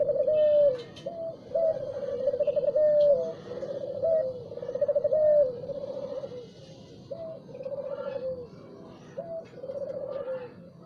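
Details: Spotted dove singing in the morning: repeated three-part phrases, a short rising coo followed by a long rolling trill, several times in a row, with faint high chirps of other birds behind.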